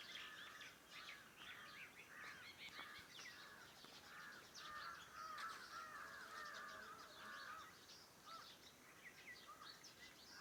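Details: Morning birds around a farmhouse, a dense overlapping chorus of short whistled and chirping notes from many birds at once, steady background hiss throughout.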